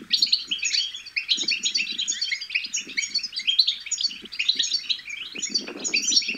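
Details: Goldfinch chicks babbling, meant to urge goldfinches to sing; a lively stream of high, overlapping chirps and trills, with soft low noises scattered through and a louder patch near the end.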